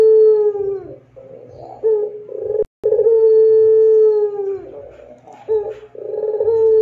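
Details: Barbary dove (puter pelung) giving long, clear, drawn-out coos at a steady low pitch. The coos are broken by short rough gurgling notes, with a brief dropout midway.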